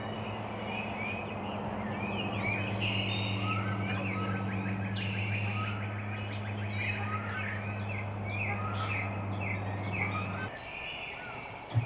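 Red-winged blackbirds give a busy chatter of short, sharp chirps, several birds calling at once, with a steady low mechanical hum underneath that cuts out near the end.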